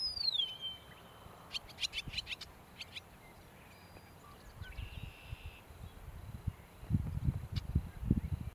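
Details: Eastern Meadowlark singing "Spring is Here" in Danby, NY, on 7 May 2020: a clear, slurred whistle falling in pitch, then scattered high ticks and chatter, over steady low wind rumble.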